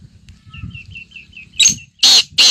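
Black grouse giving harsh, loud hissing bursts, three sneezes in about a second. Faint thin twittering notes from another small bird come before them.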